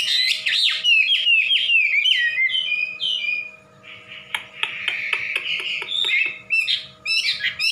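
A fast, varied songbird: a run of clear slurred whistles sliding down in pitch, then harsher buzzy chattering notes, over a faint steady electrical hum.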